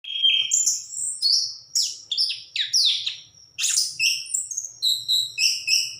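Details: Orange-headed thrush, known locally as anis kembang, singing in full form: a rapid, varied run of whistled and buzzy phrases, many sliding down or up, mostly high-pitched, with short gaps between bursts.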